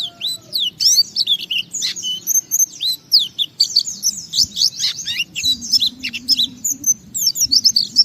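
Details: White-eye pouring out a long gacor song meant to stir other white-eyes to sing: rapid, varied high chirps, downslurs and trills in continuous bursts.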